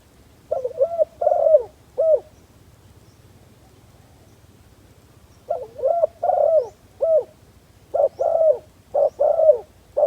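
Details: Spotted dove kept as a decoy bird to lure wild doves, giving soft, low cooing phrases of three or four mellow notes. Bursts come in clusters separated by a long pause, with a faint low hum underneath.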